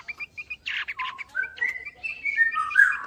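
Chinese hwamei in rich, varied song: quick loud whistled notes and a few harsh chattering bursts, then long sliding whistles that rise and fall.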